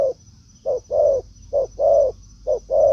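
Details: A spotted dove in forest answers a decoy bird in a territorial response, after the decoy spent a week being brought out. Loud, clear coos come in pairs, a short note then a longer one, repeating about every second.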